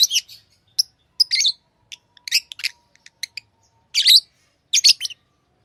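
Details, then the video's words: Lovebirds kept as pets uttering a scatter of short, thin high chirps and a few louder harsh buzzy ones, irregular in timing with brief silences between. "Love birds Sounds | lovebirds chirping sounds"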